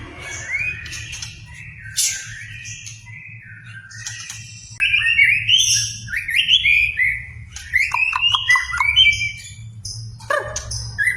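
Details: White-rumped shama song used to provoke another shama into singing: varied loud whistled phrases, rising slurs and sharp chips, rich and rapid, with quieter gaps and a steady low hum underneath.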